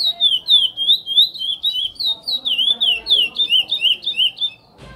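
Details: Praia-type song of a chestnut-bellied seed finch (curió): a steady stream of bright, swooping whistled notes, about three per second, continuing for over four seconds before a brief pause and a soft knock.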